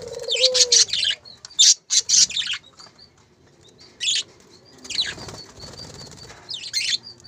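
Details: Captive breeding parakeets, two pairs kept at a bird farm, giving loud, harsh, scratchy screeches in bursts separated by quiet gaps, opening with a brief falling whistled note.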